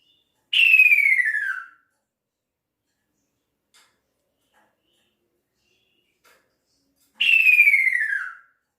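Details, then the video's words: Male kaso-kaso bird calling to its female: two loud, clear whistles, each about a second long, sliding downward from high to lower pitch with rich overtones, spaced roughly six seconds apart, with near silence between them. "Kicau Burung Kaso Kaso Jantan Memanggil Betinanya"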